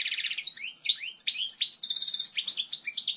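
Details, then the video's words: European goldfinch giving a strong, clear song for chicks to learn: a continuous rush of high chirps, slurred whistles and quick trilled notes. "لغة الحسون الاصلية القوية و الصافية لتعليم الفراخ Chant Chardonneret"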